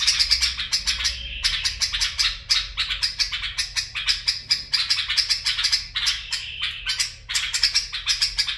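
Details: Bulbul barwaz and mfaraah song heard as a long run of rapid, clipped, bright notes in quick pulses, with short breaks between runs and a slight shift in pitch along the way.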